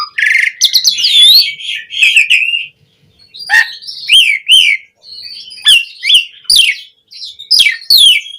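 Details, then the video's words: Asian pied starling song used as a lure to prompt other starlings to sing: loud, varied whistles and harsh chattering notes in three bursts separated by short pauses. "Pancingan Suara Jalak Suren Gacor POWER FULL Variasi Isian Buat Masteran Burung Jalak Agar Cpt Gacor"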